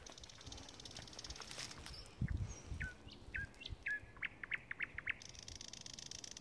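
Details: Thrush nightingale song, the species has just returned: a few short falling whistled notes, then a quick run of hard, clicking notes about four per second, over low rumbling wind and thumps.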